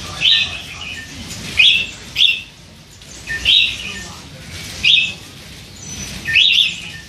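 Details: Hand-fed young red-whiskered bulbul, three months old, chattering all day with soft voice; short warbled phrases around the mid-high range, about six bursts over seven seconds with quiet gaps between.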